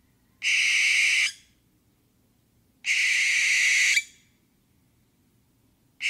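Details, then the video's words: Barn owl giving long, harsh, hissing screeches, each lasting nearly a second. Two full screeches come about two and a half seconds apart, and a third begins at the very end. The background is otherwise quiet. "សំលេងខ្លែងស្រាក (Barn Owl)"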